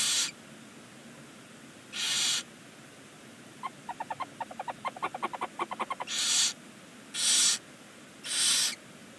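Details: Barn owls in a nest box on a chimney under a stork nest in Ságvár, Hungary, on the first chick's day one: repeated harsh hisses every one to two seconds, with a run of soft rapid ticking twitters in the middle.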